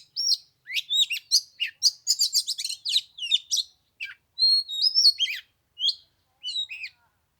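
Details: Oriental magpie-robin singing in 15-degree cold on the third day of Lunar New Year, quick chirping phrases giving way to longer sliding whistles, then sparser notes toward the end.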